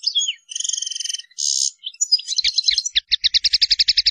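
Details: Goldfinch song of the ngrool tembak type for masteran training: quick twitters and a buzzy rattled phrase, then a run of rapid, evenly repeated sharp chirps speeding into a trill, with faint low ticks under them.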